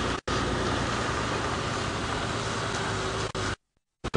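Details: A safari vehicle's engine drones steadily on a sunrise drive, with brief dropouts to silence near the end.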